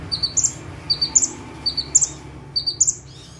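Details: Bar-winged prinia (prenjak tebu) singing vigorously while perched still; evenly spaced bursts of three to four piercing, high chirps, about four bursts in under four seconds, over quiet low hum.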